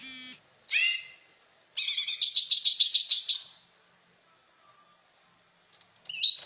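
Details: Greater green leafbird singing a varied phrase: a short buzzy note, then a rapid rattling series of rich harmonic pulses lasting nearly two seconds, and a final sharp chirp after a pause.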